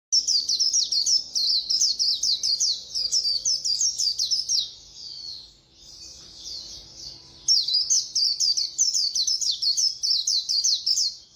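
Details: White-eye singing a fast khuyên líu style song: rapid, high, sweet chirps packed into long twittering runs, a softer warbled stretch in the middle, then another quick burst of chirps.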